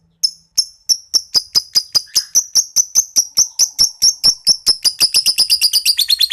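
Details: Young PB violet lovebird learning its ngekek, a long chattering trill: a steady run of sharp high chirps about three per second that speed up into a rapid, tight trill near the end, with no other clear sounds.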